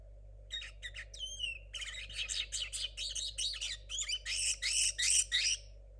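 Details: Linnet hybrid from 2022, a young caged bird whose song is still muddled, opens with a few sharp chirps and a bent whistle, then runs into a fast string of buzzy, high chattering notes.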